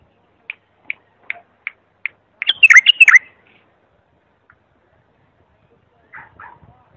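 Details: Bulbul used as a song tutor for young birds: a series of five evenly spaced sharp chips builds into a brief tumbling whistled phrase, then a softer pair of notes follows after a pause.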